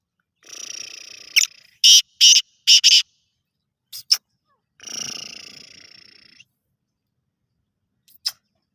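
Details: Black francolin giving a phrase of four loud, scratchy notes in quick succession, then two single sharp notes. Two long stretches of hissing, rushing noise come before and after the phrase.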